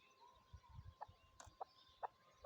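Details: Chukar partridge (Alectoris chukar), call.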